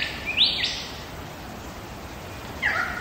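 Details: Wild lyrebird in Megalong Valley, Blue Mountains, Australia, giving a short rising whistled phrase with a bright upsweep, then a pause and a second falling-rising note near the end; faint hiss behind.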